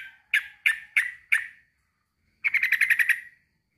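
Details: Male sooty-headed bulbul calling to a rival: four spaced, husky notes, a pause, then a quick rattling burst of about eight notes.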